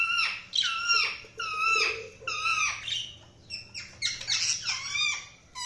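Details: Budgerigars chirping: a continuous chatter of overlapping warbled, squeaky notes, some sliding down in pitch, with no clear pauses.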